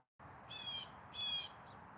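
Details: Blue jay calling loudly outside: after a brief silence, two harsh, nasal screams in a row, each about a third of a second long, then a faint short note trailing off.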